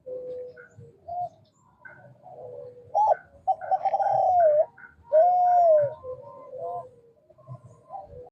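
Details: A male Kelantan spotted dove coos repeatedly, calling used to stir lazy doves into answering; low soft notes build into a rolling coo and a long gliding tone, with small taps and a quiet room behind.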